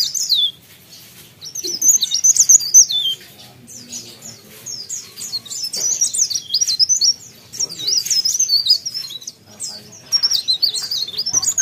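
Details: Energetic singing from a mountain leaf warbler: bursts of fast, very high-pitched twittering with sliding and zigzag notes, separated by brief silences, about four notes a second.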